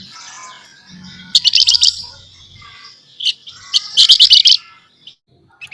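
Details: Scaly-breasted munia in talkative nyerecet chatter, soft twittering building into two loud buzzy rattling bursts, then a few faint chips.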